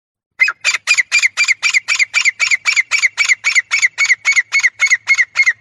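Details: Female francolin, known locally as teetar, uttering a long steady series of harsh clipped notes, nearly four per second, evenly spaced and unchanging in pitch throughout.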